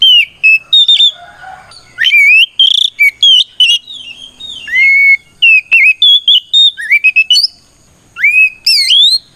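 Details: Oriental magpie-robin giving a lively 'ngeplong' fighting song that calls out rivals, used to provoke other magpie-robins into answering. Loud, clear whistles rising to a steady pitch, with quick chirps and trills between them. No other sounds.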